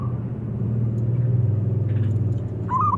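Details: Zebra dove (Geopelia striata), call: calling to draw rivals into singing.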